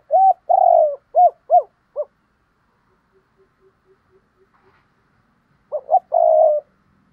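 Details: Spotted dove giving cu gù and thúc bổi cooing in the Thổ đồng voice style, as a contest bird. Clear low, hoarse coos in quick groups of short notes and a longer drawn note, then a pause and another burst.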